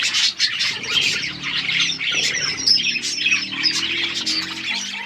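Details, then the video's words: Outdoor aviary budgerigars giving bright overlapping chirps and scratchy squawks, a loud steady group chorus over a faint low drone. "Wild budgies in my outdoor aviary birds chirping sound"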